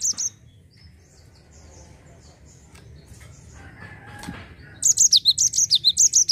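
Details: Java sparrow in 'ngerol' rolling song, used to draw other birds into singing: a short note at the start, a long quiet stretch with faint knocks, then a fast run of high chipping notes.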